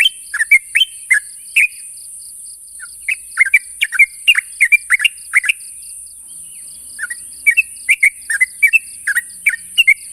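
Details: Rival-challenging call of a sooty-headed bulbul: lively, slurred chirping phrases in fast clusters, a brief lull, then resumed chattering, against continuous high hiss and soft regular ticking.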